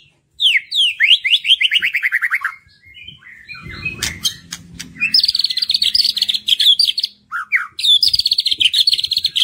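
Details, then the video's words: White-rumped shama song used as a lure to stimulate other birds to sing: rapid series of rich descending whistled notes, then a brief pause and fast trilled phrases repeated at high pitch, with faint low background hum. "PANCINGAN MURAI BATU MERANGSANG BURUNG YANG SUSAH BUNYI LANGSUNG IKUT BONGKAR ISIAN"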